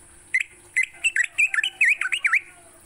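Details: Morning song of a sooty-headed bulbul for training songbirds: spaced whistled notes at first, then a quicker string of dipping V-shaped whistles; a steady high hiss runs throughout.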